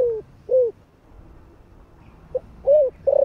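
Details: Spotted dove of the 'thổ' voice type, used to provoke newly caught birds, ending one phrase with a falling coo and a curved coo, then after a pause a pip, an arched coo and the start of a long vibrating note.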